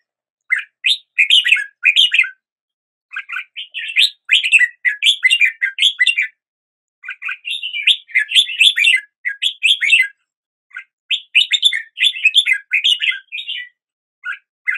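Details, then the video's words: Red-whiskered bulbul song in the morning, a lively run of rapid chirpy, warbling notes delivered in dense phrases of one to two seconds, separated by short gaps, loud and clear with no other sounds. "Red whiskered Bulbul Song"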